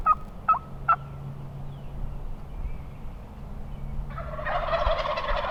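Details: Wild turkeys from a large flock gobbling close by on Nebraska public land during a windy spring hunt: three short sharp notes, then a loud rattling gobble burst from about four seconds, over a steady low hum.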